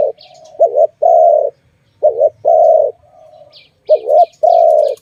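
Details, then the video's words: Dove calling in a bird-trapping setting, with repeated phrases of a short two-part note and a long, even, low coo. Scattered high chirps from other birds come in near the start and end. "Sound of good dove"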